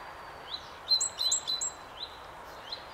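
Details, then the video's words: Great tit song of bright, high two-note phrases, a rising slur and a sharp upper note, repeated about three times in quick succession over a steady background hiss. "Talgoxe med fågelsång. Great tit."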